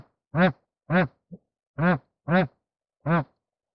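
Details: Bar-headed goose calling during mating: five rich, nasal honks, each short and evenly shaped, spaced about half a second apart, in otherwise silent surroundings.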